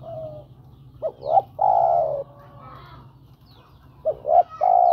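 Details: Spotted dove cooing to call a female: two short upward-bending notes followed by a long level hoot, the phrase heard twice, with soft murmuring coos in between and a steady low hum underneath.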